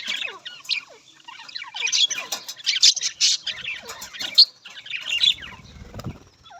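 Budgerigars chatter in a busy, high stream of quick chirps, downslurred whistles and scratchy squawks, with several birds calling over one another.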